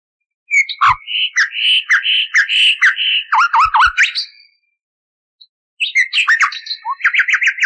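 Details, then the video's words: Old recording of common nightingale song, cleaned of noise and meant for canary training: a phrase of varied whistled notes and downward slurs, a pause of about a second, then a new phrase ending in a rapid, rattling repeated trill. "Bülbül Ötümlü Kanarya Eğitimi İçin Bülbül Sesi ve Ötüşü"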